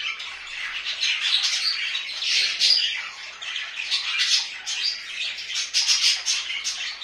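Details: Budgerigars at home trill and squawk continuously, with clicking, ticking notes and gritty warbles rising and falling in loudness every second or so.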